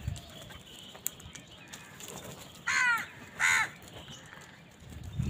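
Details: Two hoarse caws in quick succession from crows competing for food, rising out of a quiet, noisy background.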